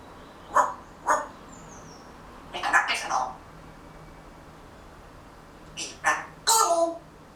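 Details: Pet grey parrot chattering quietly to itself while settling down for a nap, waiting for summer: soft, speech-like murmured syllables in short separate bursts, some paired, with quiet pauses between them in a hushed room.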